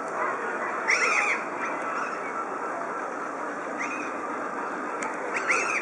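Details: Red-breasted Goose at Dresden Zoo on 9 May 2011, giving shrill, high, doubled yelps in three short bursts a couple of seconds apart, over a steady rushing background of wind or distant flock noise.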